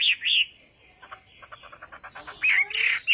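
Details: Chinese hwamei in morning song training for contests: loud warbled notes at the start and end, separated by a softer stretch of faint, rapid ticking notes.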